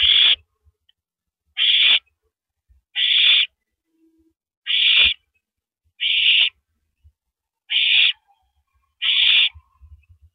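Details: Nesting owls on April 9, 2012 at 9:14 PM, the male handing a rabbit to his mate; seven hoarse, hissing bursts come steadily, about one and a half seconds apart, over light knocking.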